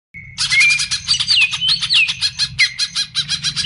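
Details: Bulbul song used as a lure to draw in bulbul-type birds: a lone high whistled note, then dense buzzy chattering pulses overlaid with sliding, looping whistles, lasting several seconds.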